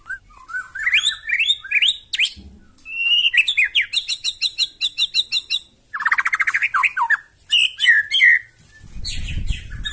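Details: Loud provoking song of a White-rumped shama: rising whistled phrases, then a long even series of sharp repeated notes, a dense chattering burst, and a rustling noise at the end.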